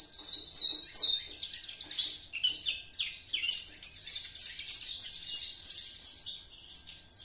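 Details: Caged juvenile Javan Horsfield's bush lark, two months old, singing master material it has imitated from another bush lark. Very high, sharp slurred notes repeat in a quick, rhythmic chatter of around three a second.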